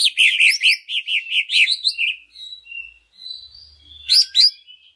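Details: Greater green leafbird lure song meant to rouse other leafbirds into singing; a fast run of repeated looping whistles opens, followed by thin drawn-out notes and a closing burst of sharp chirps.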